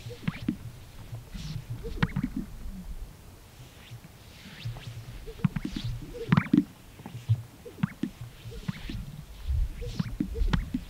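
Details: Greater Sage-Grouse males dancing around visiting females at a lek in Colorado sagebrush desert on a snowy April morning give deep, hollow plops and gurgling pops, repeated irregularly over low rumbling; a voice may be faintly heard; Greater Sage-Grouse.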